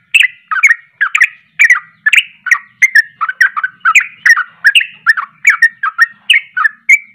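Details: Sooty-headed bulbul pouring out an agitated 'ropelan' song that provokes other bulbuls: long, unbroken stream of rapid chirpy, gurgling notes at an even fast pace.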